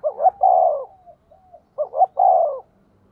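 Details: Spotted dove used as a decoy for wild birds: two clear coo phrases, each a quick rising double note followed by a long, full, slightly falling coo.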